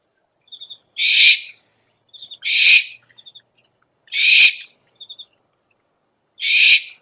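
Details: Owl calling sound for luring owls: four harsh screeches spaced over seven seconds, most introduced by a quick burst of three high ticks.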